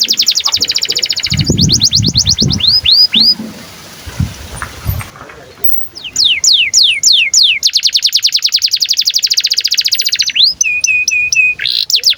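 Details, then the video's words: Long-singing canary in breeding condition, used to prompt and teach young canaries to sing: rapid high trills and curved chirps, low thumps underneath, a brief quieter pause, then rising sweeps, fast rattling trills and a short held whistled note. "KENARI GACOR DURASI PANJANG Cuit CUIT BIRAHI UNTUK PANCINGAN & MASTERAN Kenari PAUD AGAR BUNYI"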